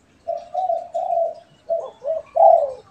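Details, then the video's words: Spotted dove, pet and wild birds trading calls; a clear cooing sequence of three smooth, level hollow notes, a pause, then two short coos and a final loud, slurred note. "SUARA BURUNG‼️ DERKUKU PIARAAN VS DERKUKU LIAR BERSAHUTAN_MERDU SUARANYA"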